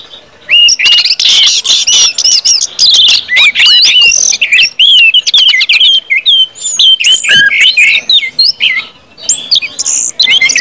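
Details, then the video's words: Orange-headed thrush, ngeplong style, played to get other birds singing quickly: a long, loud and varied run of high whistles, slurs and rapid chattering warbles with brief gaps. "KUMPULAN ANIS MERAH NGEPLONG BIKIN CEPAT BUNYI DAN GACOR ANIS MERAH"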